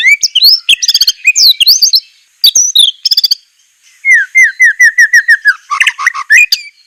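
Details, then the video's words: Murai training song, sharp and harsh in delivery: fast clicking and whistled flourishes, a brief pause, then a regular series of down-slurred whistles ending in quick chipping notes. "masteran besetan murai suara semelet suara pedas tembakan kasar"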